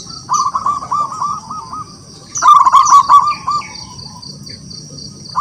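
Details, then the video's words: Two bouts of pulsing low coos from a local wild zebra dove in strong voice, summoning rivals to sing, with thin high chirps and a faint steady whine behind them. "Perkutut lokal alam gacor, suara memanggil lawan untuk bunyi"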